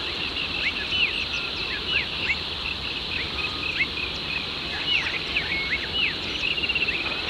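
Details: Rainbow bee-eaters, arrived in numbers to breed at Red Rock Heath, New South Wales, Australia, and perched on a power line, give short, rolling, cricket-like trills, several a second in loose bursts, over a steady high insect-like hiss.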